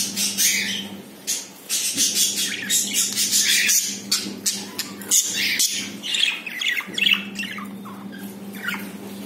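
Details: Indoor captive budgerigars, a pair with a newly laid first egg; busy stream of raspy squawks, clicks and warbling chirps in quick bursts, with a persistent low hum beneath.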